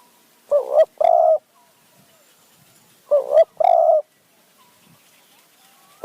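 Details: Spotted dove decoy in high mountain forest in Kanchanaburi, Thailand, calling to lure wild doves; two identical low coo phrases about three seconds apart, each a short wavering note then a longer steady note, with faint twittering between.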